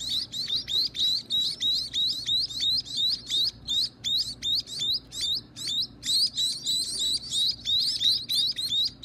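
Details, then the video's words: Baby birds at feeding time, kept by their owner: rapid high chirps, each note a short rising squeak, repeated nearly three times a second in dense overlapping bursts with no pause, several young calling together. "Feeding the baby birds"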